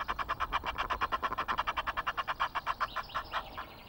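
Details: Egyptian geese at Loch of the Lowes, Scotland, recorded by webcam on 5 March, giving a fast, steady run of harsh, honking pulses, roughly eight per second, that slows and fades slightly toward the end.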